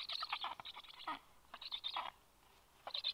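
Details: At a black stork nest during a feeding, the male having just delivered fish to the chicks: short harsh bursts of chattering notes separated by brief pauses, ending with a quiet gap and a final burst.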